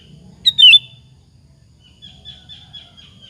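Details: Single quick, bubbly sooty-headed bulbul phrase used as a lure to make other bulbuls answer, followed by a faint, wavering high whistle and low background rumble.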